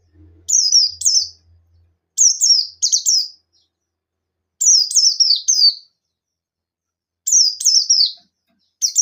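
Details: Buxton's white-eye singing in ngalas style to call rivals and provoke other white-eyes: bursts of two or three high, steeply falling chirps, repeated every couple of seconds, with a faint low hum at the start.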